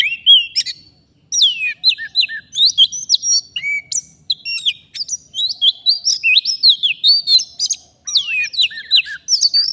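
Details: Forest-dwelling Oriental magpie-robin, wild, singing constantly during a trapping session: loud, varied whistled phrases with swoops, trills and sharp chips, a short gap near the start and again near the end.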